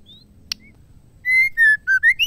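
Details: Caged female white-rumped shama singing to stimulate males: a brief faint whistle and a click, then a loud sequence of five clear whistled notes, level, then falling, then rising.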